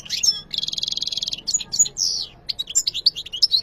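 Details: Song of a European goldfinch, opening with a few high chirps, then a sustained, rapidly pulsed buzzy trill lasting nearly a second, followed by lively twittered notes and sliding whistles.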